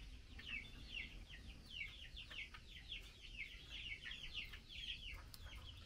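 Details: While taking mealworms, a female Chinese hwamei calls to the male in bursts of fast, down-slurred chattering notes, clustered in runs, over a quiet low-pitched background.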